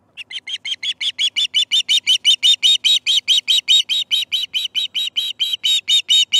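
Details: Osprey calling at its nest at breakfast feeding time, 18 September 2019: a fast, steady run of about two dozen shrill whistled chirps in six seconds, each bright and slightly upslurred, with a quiet background.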